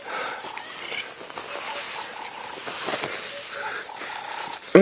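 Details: A flock of crowned lapwings near bird droppings at sunrise, 4 October 2017, in the Sabi Sand/Djuma area, South Africa, repeating loud, harsh strident shouting notes, with a man talking over them.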